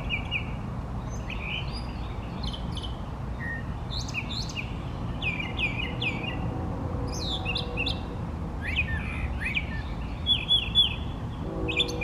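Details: A male brown thrasher sings from trees in a long sustained performance, pouring out rapid varied phrases of chirps, buzzy notes and sharp slurs, some given in quick pairs, almost without pause, over a low steady rumble.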